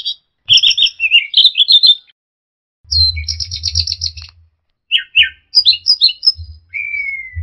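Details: Orange-headed thrush in a training recording for songbirds, with a combination of varied phrases: rapid chirpy twitters, then a dense high trill, short sweeping notes and a clean descending whistle, with low thumping noise beneath.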